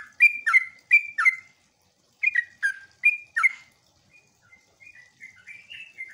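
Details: Sooty-headed bulbul song used to make other bulbuls call back: loud pairs of bubbly whistled notes, then a pause and fainter, more distant whistles toward the end.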